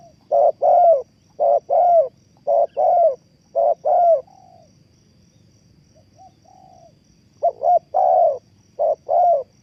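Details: Lure spotted dove kept for bird trapping gives clear two-part coos, a brief note then a drawn-out falling one, in a rapid run that pauses for a few seconds before resuming.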